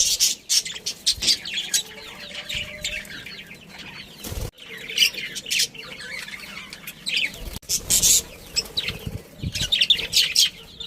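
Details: Budgerigars, a breeding pair with family, chattering in bursts of high scratchy chirps and squawks, separated by brief gaps and a couple of sharp clicks.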